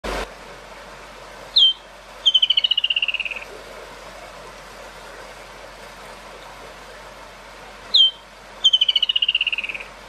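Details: Woodland kingfisher in Kruger National Park gives a sharp single note, then a long descending trill; the phrase sounds twice, about six seconds apart, over a quiet background.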